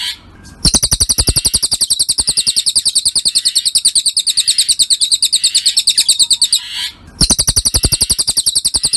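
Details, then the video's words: Cililin bird masteran recording for training songbirds: a rapid, fast-paced series of high, sharp double-toned chirps, repeated several times a second. The chirping breaks briefly near the start and again near the end, with steady low thumping pulses beneath. "Masteran Burung Cililin"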